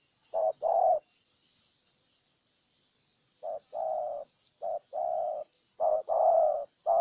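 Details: Spotted dove decoy bird, Ninh Thuận, Vietnam, cooing to lure a wild dove: one paired coo, a pause with faint high twittering from small birds, then three more short-long coo pairs.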